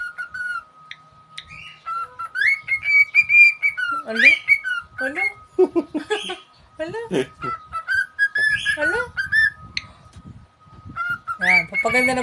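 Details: Pet cockatiel mixing sustained whistles with rapid chattering, squawky notes and falling slurred sounds, varied and irregular, over a steady electrical hum.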